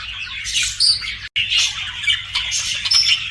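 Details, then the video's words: Pet budgerigar chatter, dense buzzy warbling with high thin whistled squeaks, broken by a brief silent gap near the middle before resuming. "BUDGIE CHIRPING SOUNDS"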